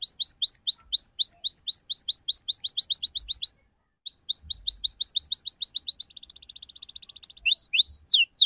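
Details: Young-canary lure recording of ngriwik cuit-cuit song: long rapid series of rising whistled notes, a brief gap, more of the same, then a fine buzzy trill and upslurred whistles.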